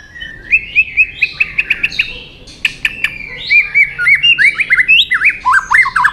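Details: White-rumped shama stirred up to sing a fight song: rapid chattering series of short whistled notes, many repeated in quick succession, with sharp clicks between phrases.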